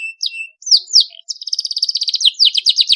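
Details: Canary singing continuously with sharp rolling trills, used to stimulate young canaries to sing: a few separate high down-slurred whistles, then a fast rapid-fire trill of repeated notes, ending in quicker buzzy sweeping notes.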